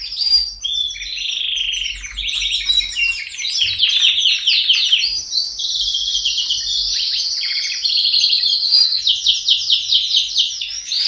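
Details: Canary singing loudly and continuously: varied high trills, fast repeated chirps and rolling tours blending into an unbroken bright song.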